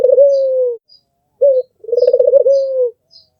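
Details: Albino Barbary dove with red eyes, a melodious master bird, drawing out a long, gently falling coo, then a brief clipped note and a rolling, stuttering coo that settles into a sustained tone. No other sounds.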